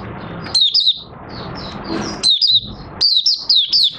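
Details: Caged oriental white-eye singing once its cloth cover is opened, 25 August 2022: bright high whistled notes slurring downward in quick groups, a quieter stretch, then a string of four rapid phrases, over faint low rumble.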